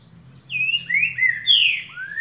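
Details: Green-winged saltator singing the boca mole boi, or boiadeiro, style: a clear whistled phrase of drawn-out slurred notes, a high falling note then lower rising ones, ending on an upward sweep, over a low steady hum.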